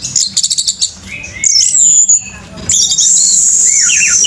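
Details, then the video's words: Orange-headed thrush singing hard with tail spread: a burst of quick high chips, then a long thin whistle, a short gap, and a sustained high shrill note ending in lower wavering slurred phrases. "ANIS MERAH TELER MEWAH‼️BUKA EKOR‼️REBAH‼️MENTOK-MENTOK‼️FULL SPEED‼️"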